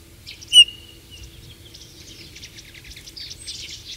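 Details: A shy, secretive Eurasian bullfinch opens with one loud piping whistle, then a long run of quiet, scratchy twittering notes that grows a little busier toward the end; faint low hum in the background.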